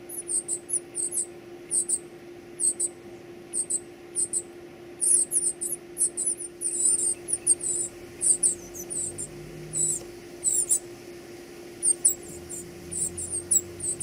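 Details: Baby birds being fed call in eager bouts of high, piercing squeaks, steady pulses about every half second, growing denser and louder midway, with a constant low hum and faint low rumbles.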